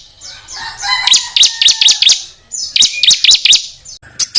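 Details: Master song of rapid-fire fill for training contest songbirds. Thin descending whistles open into clusters of loud, high, scratchy notes, repeated in two similar phrases with brief quiet between.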